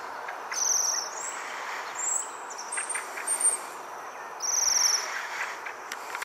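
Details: Waxwings give very high, thin trilled 'sreee' notes: two longer buzzy trills and a few shorter ones overlapping, over soft steady outdoor hiss and traffic noise.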